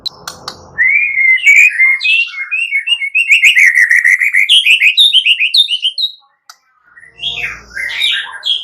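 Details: Vigorous white-rumped shama song used to provoke other birds to sing: a long, rapid series of varied whistled notes at middle pitch climbing to high bright notes, with a rougher burst near the end.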